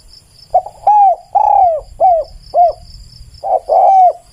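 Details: Spotted dove singing a full cooing phrase of a short stutter, two long falling coos and two shorter arched ones, then starting again with a stutter and long coo; faint insect hum behind.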